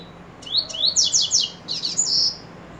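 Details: Coleiro (Double-collared Seedeater) singing: short rising whistled sweeps, then a fast run of four or five buzzy, downslurred high notes, ending in a sustained trilled phrase after a brief pause.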